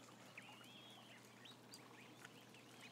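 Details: Ducklings, part of a flock near one thousand: a drawn-out wavering whistle among shorter sharp peeps, many young birds calling at once against a low hum.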